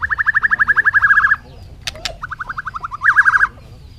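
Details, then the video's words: Bird calling with rapid runs of evenly spaced clipped notes, about twelve a second, in two bursts separated by a brief gap and a pair of sharp clicks; a lower, slightly uneven trill follows. "suab noog quaj zoo heev"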